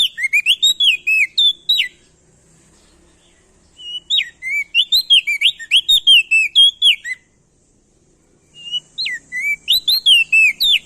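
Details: Loud lure song of a male ashy tailorbird from Nusa Tenggara, played to stimulate other birds to sing: three bursts of rapid, ringing whistled notes, each slurring up or down, separated by pauses of about two seconds.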